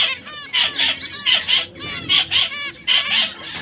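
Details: Three caged canaries, one red, one yellow and one brown, singing: bright syllables repeated in short phrases, with quick rolled trills and buzzy notes.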